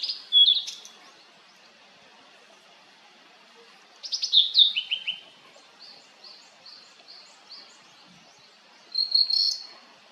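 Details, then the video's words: Blue-and-white flycatcher (Cyanoptila cyanomelana) gives three bright, high whistled phrases about four seconds apart, one ending in a harsh buzzy note, with faint soft notes in the gaps. "オオルリの鳴き声The cry of Cyanoptila cyanomelana"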